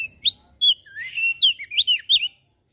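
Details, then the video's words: Singing strongly, a Javan grey-throated white-eye delivers bright, looping whistles and chirps in a rapid burst, with sharp up-and-down slurs. Its song is said to provoke nearby birds into singing. "Opior Jambul Gacor Suaranya Memancing emosi Langsung Burung Lain Ikut Bunyi"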